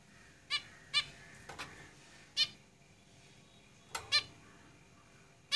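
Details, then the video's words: Short harmonic calls from caged zebra finches, about six sharp notes, some in quick pairs, over a steady low hum and background hiss. "Zebra Finches Singing in the cage"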